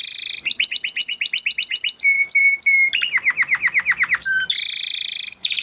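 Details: Huppe Spanish Timbrado canary, 2020 breeding, singing training song: evenly repeated double-toned notes about four per second, three short level whistles, a run of quick descending notes, then a rich trill.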